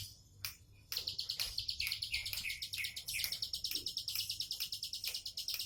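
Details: Bar-winged prinia delivering relaxed tembakan song: after a quiet start, a long unbroken series of quick, sharp high chirps and buzzy notes, about three per second.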